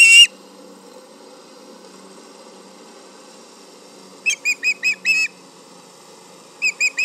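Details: Charlo nest osprey yelling at a tractor close by, late morning of July 31, 2019: one loud yelp, a long quiet stretch, then a run of five high whistled notes and three more.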